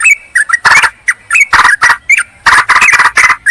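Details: Yellow-vented bulbul calling a rival, a lure for wild birds: loud, rasping squawks mixed with short, bright chip notes in an uneven, excited series.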